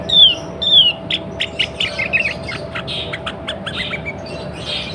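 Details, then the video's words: A sooty-headed bulbul hen in breeding condition, calling so males will sing, opens with two bright descending whistled slurs, then gives a loose string of short chirps and softer notes that trail off against constant hiss. "SUARA KUTILANG BETINA BIRAHI 100 % TERBUKTI BIKIN KUTILANG JANTAN CEPAT BUNYI GACOR"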